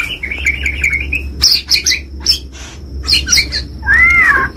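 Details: White-rumped shama, a 'gacor' champion-style singer, giving a warbled whistled phrase, then sharp harsh chattering bursts, and ending on a loud arched whistle; a steady low hum lies underneath.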